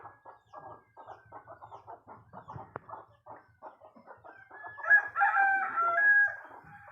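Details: Chicken crowing at dawn, heard on waking as a sign that morning has come: a run of soft, rapid clucks for about four seconds, then one loud, drawn-out, harmonic crow lasting roughly a second and a half.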